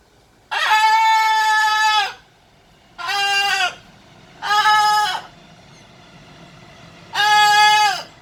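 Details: Kept blue-and-gold macaw while playing, screeching four times in a row: long, rough, level squawks, the first about one and a half seconds long, separated by short gaps.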